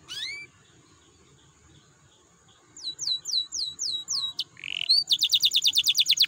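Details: Canary song meant to prompt other canaries into singing: after a high rising whistle and quiet gap, a series of descending slurred notes, a harsh buzzy burst, then a fast ringing trill.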